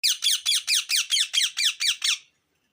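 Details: Ringneck parakeet giving a rapid run of about ten harsh, squeaky chirps, each a falling sweep repeated roughly every quarter second, then stopping abruptly; recorded indoors in a small room.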